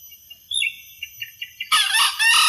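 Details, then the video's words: A junglefowl gives a loud, harsh, ragged crow lasting under a second, preceded by faint thin chirps of small birds. "Suara Ayam Hutan"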